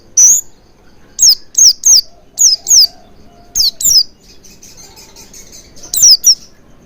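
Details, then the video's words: Oriental white-eye lure recording meant to prompt singing: about ten high, sharp descending whistles, often paired, delivered in bursts with faint twittering and a quieter gap before a final pair. "Pancingan Burung Pleci Agar Cepat Ngalas & Buka Paruh Maksimal"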